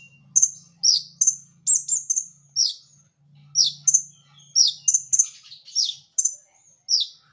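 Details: High, lively song from a brown-throated sunbird in gacor masteran style, made of rapid sharp chips and descending squeaky notes in quick clusters, with a low steady hum in the background.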